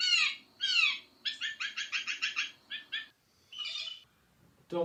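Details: Blue Jay, a common winter bird at Sutton, Québec: two harsh, down-slurred notes, then a quick run of ringing, nasal calls repeated about four per second, ending with a softer squeal and a click.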